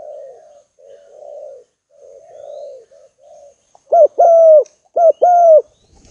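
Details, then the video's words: Spotted dove, a prized caged bird used as a decoy, calling eagerly as rivals come in: soft, low, rolling coos in short phrases, then two louder, clear, drawn-out cooing notes each led by a brief grace note. "TEKUKUR MAHAL ~ SEKALI GACOR LAWAN BERDATANGAN"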